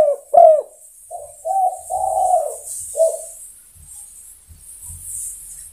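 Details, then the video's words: Spotted dove, or tekukur, calling other birds: a loud opening coo followed by softer, shorter low coos, fading into quiet with faint low rumbling. "Sudah Teruji Tekukur Memanggil Kawan"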